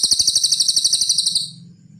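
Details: Cililin (pygmy tit) giving a high, even, rattling trill of quick pulses for about one and a half seconds on a songbird-training recording, ending abruptly, with a faint low hum behind.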